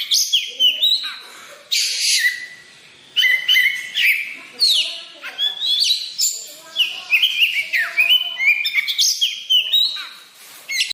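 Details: White-rumped shama singing loudly and continuously: a rich mix of clear whistles, fast slurred trills and sharp rising and falling notes in quick varied phrases, with no other sounds behind it.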